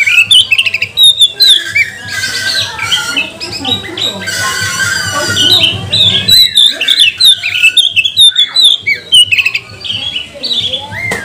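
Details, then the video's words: Magpie-robin song used as a lure to provoke other magpie-robins into singing: a busy mix of harsh squawks and high whistled notes, with a low steady hum underneath throughout. "Kacer mana yang gak mau gacor, buka ekor, bongkar emosi dengan pancingan kacer ini"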